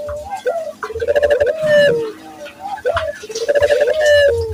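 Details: Barbary dove cooing as a lure so local doves learn to coo. Two phrases, each a short rising note, then a throbbing sustained purr ending in a slight drop, over a faint hum.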